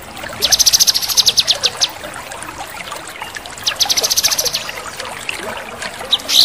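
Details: Male cucak kinoi singing its 'tembakan' shots: two bursts of rapid, rattling high notes, each lasting over a second, separated by a pause, and a brief whistle at the end, over gently running water.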